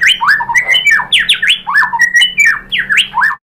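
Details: White-rumped shama song used as a lure for other shamas: a continuous string of loud, rich whistles, many sliding steeply downward, delivered rapidly without pause.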